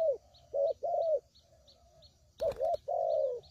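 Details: Trapping lure recording of a spotted dove. Mellow coos come in short and long notes, then a quiet pause, a sharp crackling noise, and more coos. Faint high ticking calls are in the background.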